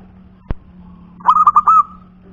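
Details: Punden-type local zebra dove singing. A sharp click comes first, then a steady low hum underneath a rapid series of four or five clipped, rolling coos ending in a longer held note.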